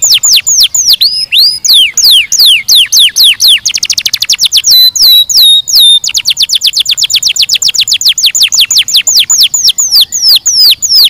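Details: Canary song built from long runs of rapid, sharp downslurred notes. A brief buzzy roll and several sliding whistles break up the runs before a long, steady trill resumes.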